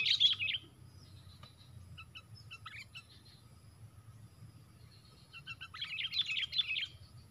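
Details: Sooty-headed bulbuls fighting four against one at a lure-trapping spot; two loud bursts of dense chirping at start and end, with a few scattered notes between.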